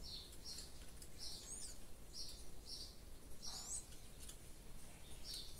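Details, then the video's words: Caged double-collared seedeater held in the hand, singing short, high, thin notes, some swept sharply upward, about two per second, over a steady low rumble of background noise. "Coleiro revés cantando"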